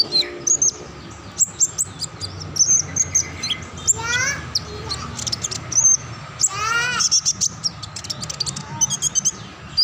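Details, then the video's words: Kinglet Cisticola delivering ngacor-style continuous song: rapid high chirps and sharp ticks tumbling one after another, mixed with some lower sweeping tones and faint background murmur. "konin pesona alam, rajanya burung ngacor."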